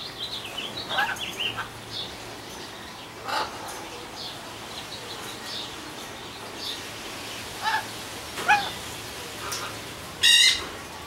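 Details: Macaws in an aviary give harsh, raspy squawks at irregular intervals, a few seconds apart, ending in one loud grating burst, over a steady background hiss.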